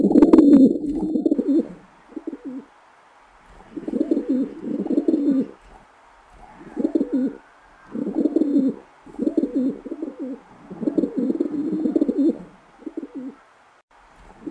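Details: Wild pigeons cooing outdoors in nature. Low, burbling coo phrases about a second long repeat with short pauses, around eight bursts in succession, over a faint background hiss.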